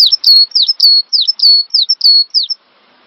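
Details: Cinereous tit singing as a master lure for training songbirds: a dense string of high, ringing whistled notes in quick two-part phrases, sharp dips followed by short level whistles, ending abruptly after about two and a half seconds.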